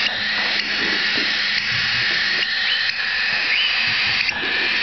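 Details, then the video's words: Cockatiel chicks hatched late 2011 at a bird park begging for food; continuous raspy, hissing wash of begging calls with a few brief higher chirps over a steady indoor hum. "オカメインコ ヒナ"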